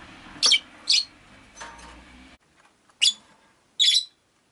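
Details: Rosy-faced lovebirds, five kept in a window-side cage: bright, sharp chirps, two close together, then two more after a pause, over low town or traffic rumble that drops away midway.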